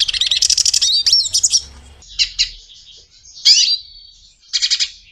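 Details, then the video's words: A Portuguese European goldfinch sings a rapid, tinkling twitter of bright high notes, with liquid trills and buzzy chirps broken by brief pauses. "canto de pintassilgo português . o belo canto da voz do pintassilgo"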